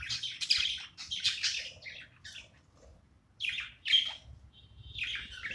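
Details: Pet budgerigar chirping while playing: bursts of scratchy, buzzy chatter in quick clusters, then a short pause before more raspy chirps resume, indoors with no other notable sounds.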